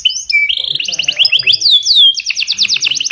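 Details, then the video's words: Yellow canary singing a training song: fast rolling trills of rapid repeated notes, sweeping whistled slides and a long tour of chirps at a steady high pitch, loud and continuous with short bright phrases changing every half second. "The best CANARY Singing- Training song for yellow canary"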